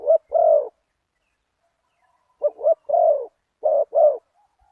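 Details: A spotted dove in decoy luring, with a deep one-kuk 'big voice'. Two mellow coo phrases of clipped notes and a longer, slightly falling coo are separated by a silent pause near two seconds.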